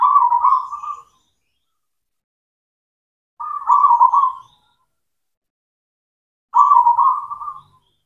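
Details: Black cemani zebra dove of local stock in full song, used to coax silent doves back into singing: three soft, fast-trilled cooing phrases about a second long, repeated roughly every three seconds against silence.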